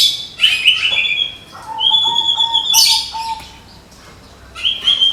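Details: Medan white-rumped shama, a caged contest bird, in 'tembakan' burst song: sustained high flat whistles layered over a lower steady note, then a sharp bright burst and a short rising whistle at the end.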